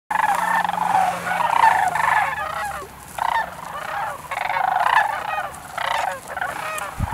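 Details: Sandhill cranes in Nebraska in 2019: a dense, overlapping chorus of rolling, trumpeting calls from many birds, rising and falling in waves across the whole recording.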